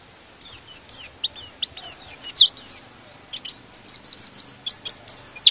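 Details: Provocative white-eye (pleci) song: two long chattering phrases of high, thin, slurred chirps and twitters, some notes rising, others dropping, with a brief break between them.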